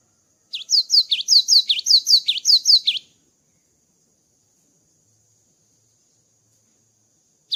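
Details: Java sparrow, post-moult, giving a fast rhythmic burst of high chirped notes for about two and a half seconds, followed by silence and the start of another phrase.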